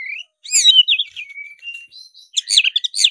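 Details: Black-breasted Oriental magpie-robin in fighting mode, singing hard: a rising whistle, then twisting, warbled phrases, a thin sustained note, and a burst of loud, jumbled high chattering.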